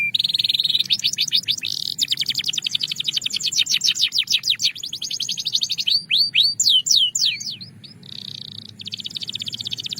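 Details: Song of a Belgian canary meant to encourage singing in pet birds: a long, fast, even rattling roll, then slower curved whistled notes and another steady high trill, with a faint low hum beneath.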